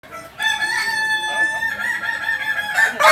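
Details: Kokok Balenggek rooster, a native chicken of Solok, West Sumatra, of the jalak and biriang types, crowing in long, ringing, harmonic tones held steady for nearly three seconds, with a brief rise at the end.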